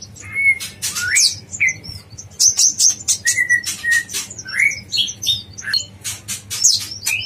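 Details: Yellow-vented bulbul, dacok blorok style training song for songbirds: lively run of bubbly whistles and rising slurred notes mixed with crisp high chirps and clicks, continuous and energetic throughout.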